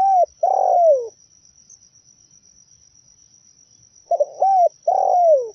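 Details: Zebra dove lure song for trapping: rolling, purring coo phrases, each a short trilled note and a longer falling one, separated by about three seconds of near silence, over a thin high tone.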